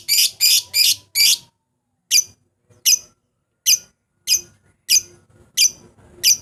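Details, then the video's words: Lovebird lure sound meant to provoke rivals into calling: four harsh, rasping shrieks in quick succession, a pause, then a steady series of shrill clipped chirps about every half second. "pancingan memanggil lawan, burung lovbird"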